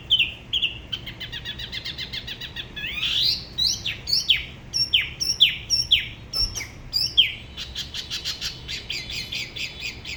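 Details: Solo song from a Da Lat Spot-throated babbler, La Ba river, in its distinctive regional manner: quick chirps, a series of sharp downward-sweeping whistles, ending in fast buzzy repeated notes.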